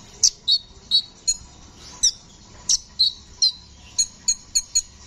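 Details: Brown-throated sunbird in energetic song for training other songbirds: a run of sharp, high, clipped chirps and short down-slurred notes, delivered every third to half second and speeding slightly toward the end.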